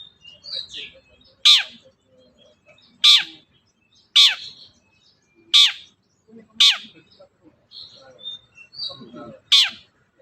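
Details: Long-tailed shrike, as a prompt for a silent shrike: six harsh, falling notes about every 1.5 seconds, separated by softer chattering and whistled fragments.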